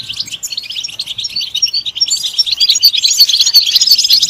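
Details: European goldfinch singing, a bright continuous run of rapid high twittering and tinkling notes, getting louder and denser toward the end.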